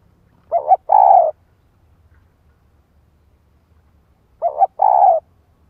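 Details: Caged female spotted dove kept as a decoy, calling to provoke a male: two phrases about four seconds apart, each a quick double coo followed by a longer, fuller, vibrating coo. Quiet background.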